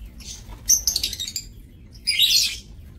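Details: Lovebirds kept in an aviary cage for breeding, recorded 30 May 2024; two bursts of high, harsh chattering chirps, the first around the middle and a louder rasping burst near the end, with quiet background between.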